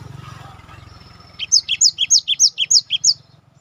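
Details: Gelatik batu, a cinereous tit, used as a master recording to prompt silent kept birds into song: after a low hum, a run of nine high, piercing two-note phrases, each dropping in pitch, delivered in quick even succession.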